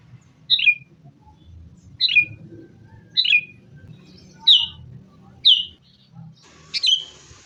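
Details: Sooty-headed bulbul in an energetic fighting-style recording used as a lure to get caged bulbuls singing. Six short, bright, descending chirpy phrases come roughly every second, the last one harsher, over a faint low background rumble.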